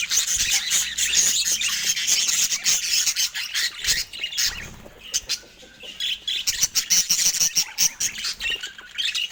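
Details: A budgerigar pair in love chirps nonstop. Dense, high-pitched twittering and scratchy squawks form a continuous warble, with a brief softer lull near the middle before the chatter picks back up.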